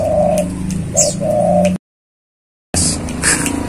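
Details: Spotted dove kept tame and released outside its cage, still singing: a longer low coo, a brief one, then another drawn-out coo. A silent gap follows, then high chirping from other birds.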